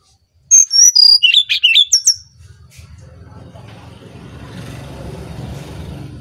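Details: Brown-chested jungle flycatcher from Bali singing for use as a lure: a rapid run of high whistled notes stepping downward with twisting inflections for about one and a half seconds, then a steady low rumbling background noise.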